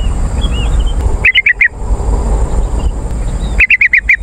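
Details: Lure recording of a yellow-vented bulbul meant to attract wild birds and coach caged ones: two clipped bursts of four to six bright, bouncing notes, with faint distant chirps and low noise between them.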